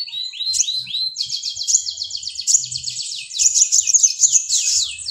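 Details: Mountain white-eye singing a fast, continuous stream of high notes. Brief rising whistles open it, followed by a dense run of quick sliding chirps, several per second, loud throughout.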